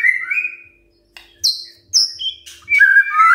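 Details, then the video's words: White-rumped shama song used in the morning to provoke other birds into singing: clear whistled phrases near the middle range, followed by higher sharp notes and a rich warbling finish, separated by short silences. "Pancingan PAGI-PAGI AGAR MURAI GACOR❗ murai diam pasti ikut NYAUT EMOSI❗❗"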